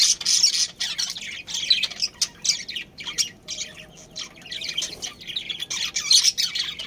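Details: Budgerigar breeding pair kept in a colony: bursts of sharp, squawky chirps and chattering warble, loud clusters separated by short quieter gaps.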